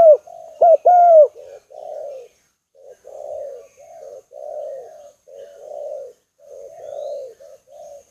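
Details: Spotted dove in a decoy recording from a dove aviary near Ba Vì, Hanoi, Vietnam. It opens with a few loud, sharply bent notes, then gives soft, mellow cooing phrases, low and throaty, repeated in uneven groups about once a second.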